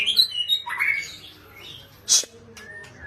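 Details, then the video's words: Kacer (oriental magpie-robin) gives clear, high whistled notes and a dropping slur. A sharp click-like burst follows after a quiet gap, then a few soft notes. A faint low hum is present throughout. "KICAU MANTAP BURUNG KACER"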